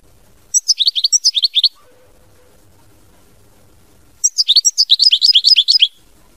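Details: Chardonneret, the European goldfinch, delivering two quick runs of liquid, tinkling chirps, each burst lasting over a second with a long quiet gap between, clean and close with little background noise.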